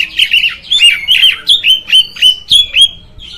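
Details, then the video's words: Oriental magpie-robin song meant to provoke other magpie-robins: a rapid series of loud whistled phrases, each a bright note dipping then rising, repeated about three to four times a second, with faint rustling underneath. "Suara Burung Kacer, Buat Memancing Burung Kacer Anda Emosi."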